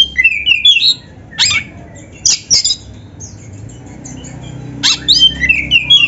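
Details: Caged black-breasted kacer (magpie-robin) in a training recording with canary-style phrases, used as a lure to provoke other birds: scratchy squawks alternate with high whistled trill bursts, separated by quiet gaps.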